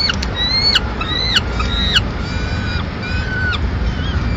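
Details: Peregrine falcon nest in Madrid, mid-morning, female returning with remains of a pigeon; thin, fainter drawn calls, a few spaced slurred notes, over a steady low rumble.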